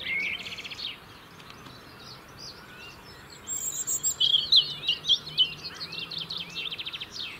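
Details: Singing European robin, UK, defending a winter territory: a buzzy high trill opens, a quiet pause follows, then a loud sequence of sharp high notes and a fast rattling trill.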